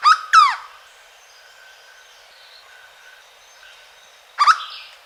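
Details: Song of the hooded berryeater from Caparaó National Park, Alto Caparaó: a quick pair of strong, rich, hooked notes, a long quiet pause, then two more loud notes near the end.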